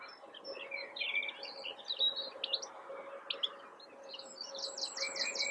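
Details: In April 2021 a European goldfinch in a blackthorn bush sings a jumble of high twittering notes and short trills, ending in a rapid buzzy burst, with a steady low drone underneath.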